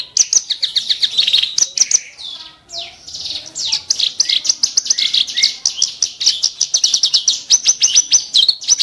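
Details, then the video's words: Kerak basi bird delivering sharp, coarse shot-like song: a fast, nonstop stream of harsh chattering and scratchy notes, briefly broken by a softer twittering phrase, then resuming in quick rhythmic bursts. "burung KERAK BASI tembakan tajam & kasar"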